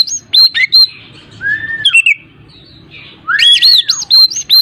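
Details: Oriental magpie-robin (kacer) song played to prompt a silent bird to sing: sweet slurred whistles, one long falling note and a rising-falling swoop, mixed with sharp chips and brief gaps.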